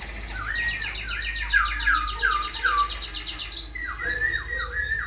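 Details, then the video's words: Tame silver-eared laughingthrush singing in its cage all day, wings and spread tail in display; rapid bouncing whistles with buzzy overtones, a brief pause, then swooping downslurred notes in a steady rhythm. "Khướu bạc má vip múa cánh đuôi xòe, chim thuần sách lồng hót, hót cả ngày"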